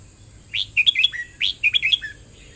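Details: Red-whiskered bulbul in double-rik song, giving two quick phrases back to back. Each starts with a loud rising whistle, then three or four sweet chirped notes, the last one lower and slurred. A faint background hiss is present.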